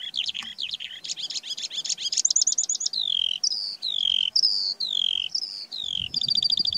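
A Eurasian skylark pours out a fast, unbroken song of high chirps, trills and slurred downward whistles, with rapid buzzy notes at the end.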